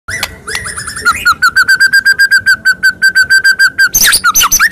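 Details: White-rumped shama song used as a lure to provoke a silent shama into singing: a long steady series of rapid clear whistled notes at even pitch, about five per second, ending in louder harsh chattering phrases.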